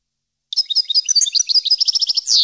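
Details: Goldfinch singing a training strophe for caged birds: after a short pause, a lively run of bright, liquid twitters quickens into a trill and closes on a drawn-out buzzy note.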